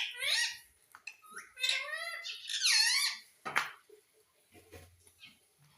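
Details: Ringneck parrot, a kept pet bird indoors, giving a run of loud, harsh, wavering squawks and screeches, some rising and falling, over about three seconds, followed by softer clicks and a brief low hum.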